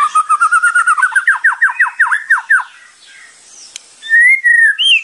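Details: White-rumped shama training song in kretekan and tembakan style: a fast trill of repeated notes slowing into about a dozen loud downslurred strokes, a brief pause, then a rising whistled phrase.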